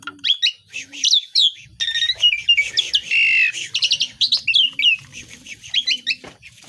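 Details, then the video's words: Varied besetan song of an Asian pied starling full of imitated calls: squeaky chirps, scratchy rattles and a long buzzy note, with low murmuring and faint coos beneath. "JALAK SUREN GACOR BESETAN ISIAN🔖BURUNG SEKAMPUNG JADI BUNYI"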